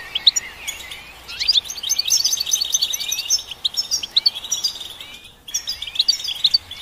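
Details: Lively goldfinch twittering with rising and falling slurred notes and crisp chirps in uneven bursts, broken by a short quiet gap before a final phrase.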